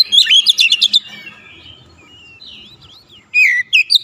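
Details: Oriental magpie-robin in persistent song full of learned phrases: a fast cluster of bright chips and whistles, then soft gliding whistles, ending with loud rising and falling whistled notes.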